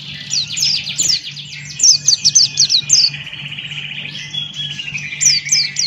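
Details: Buxton's white-eye, a male, in lively 'ngalas' open-beaked song. Quick bursts of bright falling chirps come in clusters, then a long rippling warbled run. A constant low electrical hum sits in the background.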